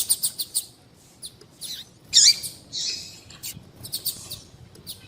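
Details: Female double-collared seedeater calls, heard as quick high ticks at the start. A loud, harsh downslurred chirp follows, then a buzzy hiss and scattered thin notes.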